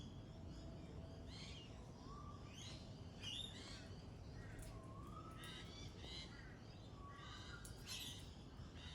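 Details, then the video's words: Pale-headed rosella giving short upslurred whistles, three or four spaced across several seconds, amid busy high chatter and chirps of other birds and a constant low hum. "Pale-headed Rosella Bird"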